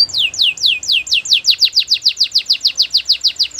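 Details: A canary sings to coax other canaries into song, giving repeated down-slurred whistles that start spaced out and quicken into an even, rapid series of sweeping notes.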